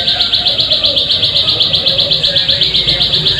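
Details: Plain prinia call used as a lure to make birds sing: rapid, steady series of high, buzzy chirps, about four per second, running without pause throughout, with faint low background hum.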